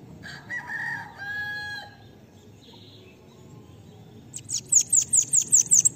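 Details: Bananaquit song for tutoring other birds: a harmonic, rooster-like crowing call opens, then after a pause a rapid series of about seven piercing, high, thin notes finishes the recording.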